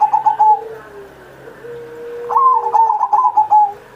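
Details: Pet zebra dove in full cooing song, meant to lure other captive doves to sing: a pulsed higher phrase, a long low drawn-out coo, then a rising note leading into a run of rhythmic pulsed coos.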